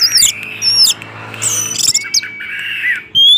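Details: Orange-headed thrush in 'gacor teler' lure song: loud high whistled slurs and sharp squeaky notes, a brief gap, then a drawn-out buzzy warble and a final shrill note.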